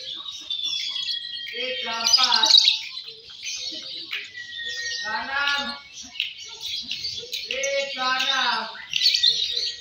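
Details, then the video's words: Lovebird Fighter M1, M2 Balibu singing during a contest: sustained shrill, scratchy twittering with thin drawn-out whistles, broken by bursts of human speech from the crowd. "Suara Burung Loverbird Fighter M1, M2 Balibu Saat Lomba"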